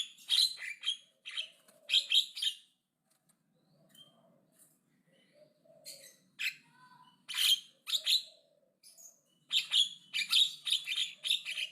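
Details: Loud, aggressive Javan myna chatter: clusters of grating, wideband squawks and clicks delivered in fast bursts, separated by quiet gaps with occasional soft whistled notes, then a long, dense run of harsh notes at the close.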